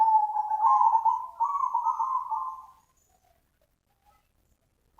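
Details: Zebra dove lure call, described as super nutut and used as bait to attract other doves: a rapid, rolling trilled coo held at a steady mid pitch for nearly three seconds, then silence with a brief note at the end.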